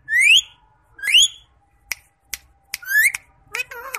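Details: Green rose-ringed parakeet, a pet ringneck said to talk in Urdu or Hindi: sharp rising whistled squeaks repeated about once a second, mixed with short clicks and a final chattering, speech-like burst in a quiet indoor room.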